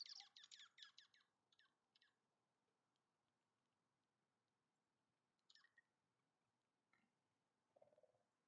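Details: Juncos feasting at a feeder in Ontario during a good snowfall give a burst of high, sharp chips and twitters, then scattered single chips and a short lower squeaky note against a quiet background.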